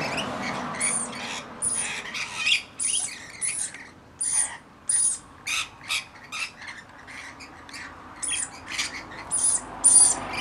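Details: Rainbow Lorikeets, a flock of about 40 looking after a single baby: harsh, screechy squawks in short bursts, irregular and overlapping, with some high shrill notes, over faint background noise.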